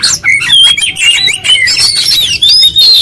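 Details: Oriental magpie-robin singing hard in 'ngotot gacor konslet' style with its full repertoire: dense, fast-changing whistled slurs and scratchy notes pouring out without pause.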